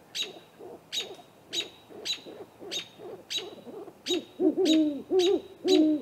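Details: Great horned owls, a pair at a great gray owl snag tree nest around 8:50 pm on April 21, recorded by a nest cam. Soft muffled hoots grow into loud deep hooting in the second half, with rhythmic high chirps above.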